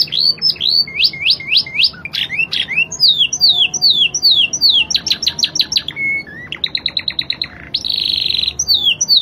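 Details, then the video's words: Spanish Timbrado canary changing rhythm quickly in a Spanish-style song: hooked rising notes in rapid series, clipped descending chips, a staccato click rattle, a brief flat whistle and a closing buzzy trill. "Kenari spanish timbrado gacor irama mewah ala spanyol"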